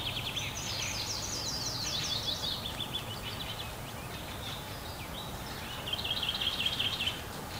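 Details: A flying-age Fieldfare (Turdus pilaris) fledgling perched on a twig waiting for its parents to feed it gives rapid, high buzzy begging chirps in a steady chattering run, quieter midway, over low rumble; Kalinovsky forest park, Yekaterinburg, 29 May 2020.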